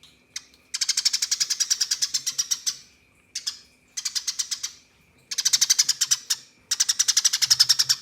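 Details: Eurasian tree sparrow fighting call, used as a training song for competition birds: rapid, harsh chattering bursts of about eight notes a second, each lasting one to two seconds with short pauses between.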